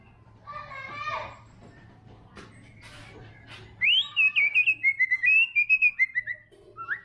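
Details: Some muffled, noisy sounds come first. Then a white-rumped shama, the spotted murai batu trotol, bursts into a loud high swooping whistle and a rapid, rhythmic string of clear notes.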